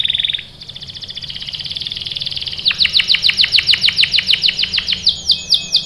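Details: Canary in lively song, played as a lure to draw young birds into singing: a short whistle, then a long buzzy roll, then a fast rhythmic series of sharp, repeated chip notes of about eight per second.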